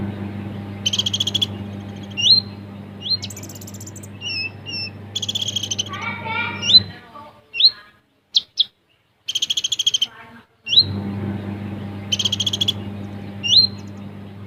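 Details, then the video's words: Captive olive-backed sunbird in 'besetan' and rapid 'tembakan' singing: repeated short high buzzy trills and sharp rising chips, with a jumbled twittering passage midway, over a constant low droning hum. "Kolibri Ninja / Konin Gacor Full Besetan & Tembakan Rapat"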